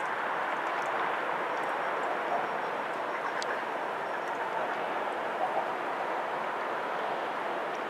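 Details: Steady broadband roar of passing traffic or a train fills the whole recording, with no animal voices standing out.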